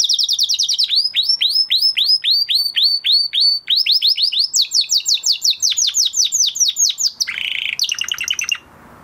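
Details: Canary singing after its moulting period: long runs of rapid downward-sweeping chirps, rising to a higher repeated series, then a short harsh buzz and fast trill before falling quiet.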